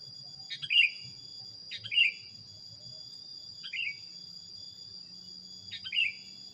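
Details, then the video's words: Training recording of a sooty-headed bulbul delivering four clear sliding whistled phrases at uneven intervals, with a constant high whine and a low murmuring background. "suara masteran kutilang anti gagal"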